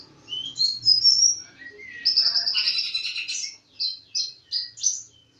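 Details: Energetic bird song mixing whistled slurs, a dense buzzy trill, and a closing run of four or five clipped high chirps.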